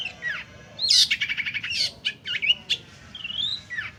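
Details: Long-tailed shrike, used as a lure sound: loud varied mix of harsh rasping bursts, rapid buzzy trills and high sweeping whistled notes, delivered in quick succession.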